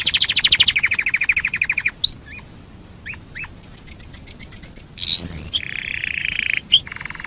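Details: Domestic canary lure song for prompting other canaries: pulsed trills, scattered slurred chirps, a string of high ticks, a sweeping rising note, then more rapid rolling trills.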